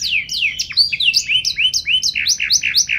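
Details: Canary singing quick bright chirps and whistled upslurs in a lively, irregular series of short notes, several a second throughout.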